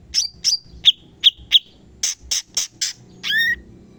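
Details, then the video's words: Cucak cungkok bulbul on a songbird training recording: five spaced, slurred chirps, then harsher noisy bursts, ending in a drawn-out descending note with layered tones. "CUCAK CUNGKOK FULL TEMBAKAN PEDAS"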